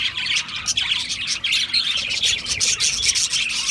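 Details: Chattering Australian parrots: many birds chirp at once in a busy, high-pitched warble, broken by short, sharp whistled notes and scratchy squawks.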